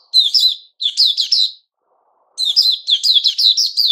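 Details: White-crowned shama (Puteh Raja) during its season of new feathers, 6 September 2021, giving loud, fast chattering phrases of sharp high notes, a pause, then a longer excited run.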